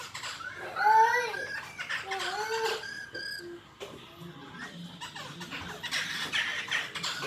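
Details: Black-throated laughingthrush fighting song: loud rich harmonic notes, some arched and some rising, given in two or three phrases. Softer chattering and a steady background hum follow.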